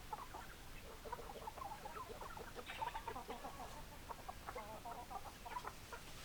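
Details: Hens clucking as a low, busy chatter of short, choppy notes that overlap steadily for six seconds, with a slightly louder burst near the middle. A faint background hiss runs underneath.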